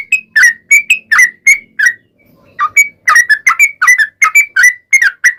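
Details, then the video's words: Lure recording of an energetic sooty-headed bulbul (trucukan) in long ropel song: quick whistled notes, a short lull, then a denser run of bubbly, rising and falling phrases. "SUARA trucukan gacor ROPEL PANJANG pancingan trucukan agar bunyi"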